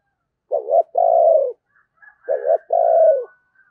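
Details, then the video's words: A decoy spotted dove calls in 'thúc gù' fashion to attract wild doves during Tết. It gives two low coo phrases, each a wavering short note and then a longer steady coo sinking at the end, with faint thin whistles between. "Tiếng Chim Cu Mồi Thúc Gù Cực Hay và Hắp Dẫn Để Anh Em Kích Bổi Mùa Tết"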